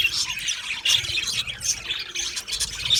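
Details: Australian parrots, budgerigars in an aviary, chattering: quick squawks and squeaky warbled chirps from many birds, loud bursts around one second and near the close.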